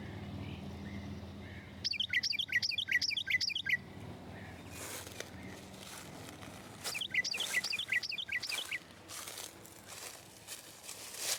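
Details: A territorial Carolina wren singing from a tree in early spring in a Hudson River Valley woodland, New York, gives two loud bursts of rolling, repeated three-note phrases, each about two seconds, with faint outdoor noise and soft rustles.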